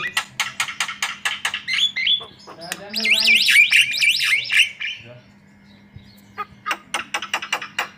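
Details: Lively, continuous white-vented myna song meant to coax other birds into singing: rapid harsh chattering notes give way to a loud wavering whistled warble, then the quick harsh notes return over a steady low hum.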